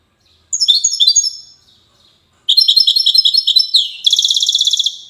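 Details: Twittering Widani-style song of a European goldfinch in Safi, Morocco: a quick phrase, a pause, then a long string of bright, buzzy notes ending in a dense, rapid trill.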